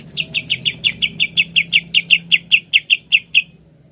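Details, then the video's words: Greater green leafbird giving a rapid series of about seventeen bright, high chirps, nearly four a second, over a faint low background hum. "RUTIN PANCING CUCAK IJO ANDA DENGAN INI AGAR CEPAT GACOR"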